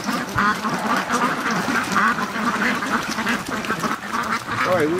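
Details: The rest of a domestic duck flock arriving at a lake; a steady chorus of harsh quacks with a few higher wavering calls, and human voices mixed in.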